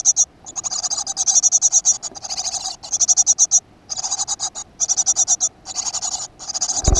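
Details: At a school-garden nest box on 7 June 2015, a great tit gives repeated rasping bursts of rapid high clicks, each under a second, in near-continuous series, ending with a low thump.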